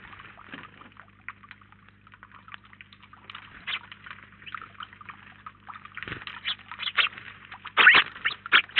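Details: Quiet scattered chirps from house sparrows at a feeder in Collado Villalba, Spain, build into a louder, denser flock chatter over the last three seconds, with a steady low hum behind.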